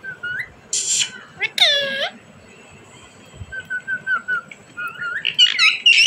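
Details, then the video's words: Talking desi parrot, a rose-ringed parakeet, with short whistles, a breathy hiss, a loud harsh harmonic squawk, then a string of soft level whistled notes and squeaky chatter closing the passage. "parrot bird talking,desi parrot ki boli"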